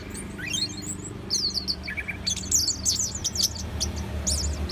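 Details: Orange-headed thrush singing a varied string of high, quick slurred whistles and short twittering bursts, with a couple of lower chirps midway, against a constant low hum.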